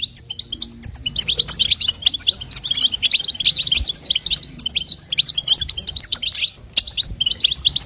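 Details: Female European goldfinch calling to stimulate the male, in the call styles known locally as batbata and sastasa: dense, rapid, high twittering chirps in long bursts, with a brief pause near five seconds and again near six and a half seconds.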